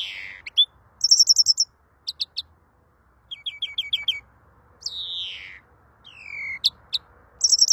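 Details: Greenfinch song: quick bright trills and rattling note series in the high register, then a long descending wheezy buzz, followed by rising twitters and another high trill.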